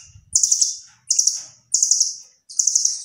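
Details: Velvet-fronted nuthatch in active song with copied phrases likened to cililin, giving four shrill, fast-pulsed rattling trills at a steady rhythm, each dropping slightly in pitch as it fades, with a soft low hum at the start.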